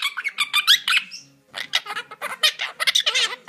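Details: Indoor cage chatter from two monk parakeets: a burst of squeaky, whistled chirps, then a short lull, then rougher, clipped squawks repeated in quick succession.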